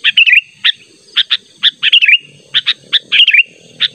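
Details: Natural sooty-headed bulbul call used to lure a rival bird: sharp, clipped chirps in an uneven run, broken by short bubbly warbled phrases, with a faint low rumble beneath.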